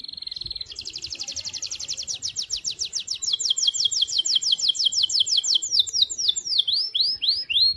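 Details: Canary, an Indonesian 'kenari gacor' singing day and night, used as a lure to stimulate other canaries: a long high song of rapid trills, then steady repeated downward-sweeping whistled notes, some ending in slurred upswept notes.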